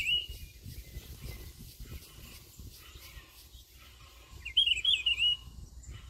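A Rufous-browed Peppershrike sings a rich, warbled whistled phrase, first a brief snatch then a fuller run near the end, over low wind rumble.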